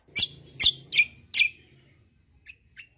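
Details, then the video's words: Kecial kombo white-eye kept as a competition tutor bird. Four loud, sharp, descending chirps in quick succession, followed by two faint short notes. "KECIAL KOMBO CUCAK KOMBO FIGHTER GACOOR || COCOK UNTUK MASTERAN"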